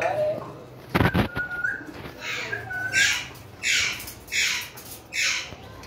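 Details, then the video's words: Pet ringneck parakeet giving loud, harsh, broadband squawks, three in a row about every second in the later half, after a softer rising note and a sharp knock. "Ringneck parrots videos 🦜🦜 cute my parrot voice in urdu hindi"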